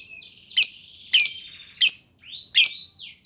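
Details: Lovebird lure in the 'ngetik' style meant to make other lovebirds chatter back; four harsh, piercing high chirps about every half second, joined by thin sweeping whistles in between.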